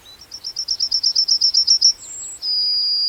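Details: A Yellowhammer delivers a rapid, even series of about thirteen short high notes, then a brief higher note and a long sustained lower whistle, over light background hiss.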